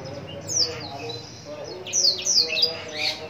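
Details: A Black-throated canary (Crithagra atrogularis) from Lumajang, Indonesia sings quick, high, thin twittering phrases of sweeping whistles and trills, with a faint low murmur behind.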